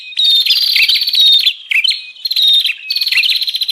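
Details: Bar-winged prinia lure recording for luring wild prinias: clear buzzy trills with high thin whistles and dipping chirps, delivered in energetic bursts with a brief break.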